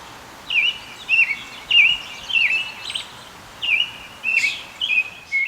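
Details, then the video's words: American Robin singing clear, whistled caroling phrases like "cheerily, cheer up, cheer up", each short and rising then falling, about one every half second to second, over faint background hiss. "they sing a song that sounds sort of like cheerily, cheer up, cheer up, cheerily, cheerily, cheer up."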